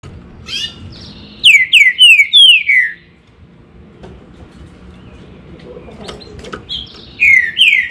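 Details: Green-winged saltator singing loud, clear whistled notes that slide steeply downward, several in quick succession, with a brief rough opening note and a second burst near the end; faint background hum indoors.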